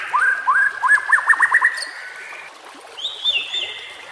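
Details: White-rumped shama song for training captive birds: a few upslurred whistles, then a quick fluttering trill, followed by a high level whistle.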